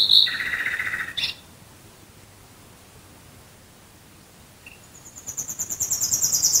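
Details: Nightingale singing at night near Dresden, Germany. A clipped phrase of quick repeated notes ends after about a second, followed by a long silence with one faint chip. A new phrase then starts with high, steadily swelling pulsed notes.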